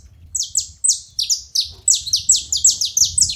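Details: Several saffron finches chirping together in a rapid, loud stream of high descending notes, overlapping pairs coming faster toward the end, over faint low background noise.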